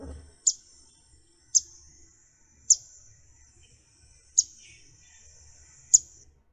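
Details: Yellow-throated Warbler, a non-breeding visitor to the Florida Keys, gives chip calls: five sharp, high notes spaced about one to one and a half seconds apart, each with a brief ringing tail, over a quiet background.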